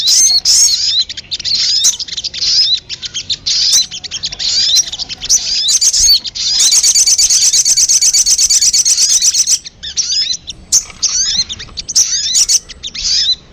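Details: Lure call of the sogon for attracting birds: scattered high chirps, then a long, fast, even buzzy trill lasting about three seconds, followed by more sharp twittering notes.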